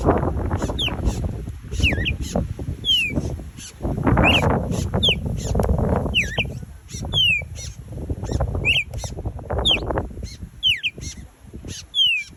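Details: Red-crested cardinals chirping in Hawaii: sharp, thin, down-slurred chips repeated about once a second over steady rumbling background noise.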